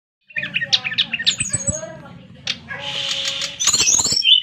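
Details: Brown-chested jungle flycatcher singing a fast, varied run of sharp chirps and short whistled notes. A buzzy, harsh stretch follows, with a low steady hum underneath.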